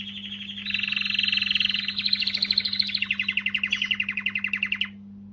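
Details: Canary male's song to rouse females: a dense rolling trill stepping up in pitch, breaking into evenly pulsed notes before stopping abruptly, over a steady low electrical hum.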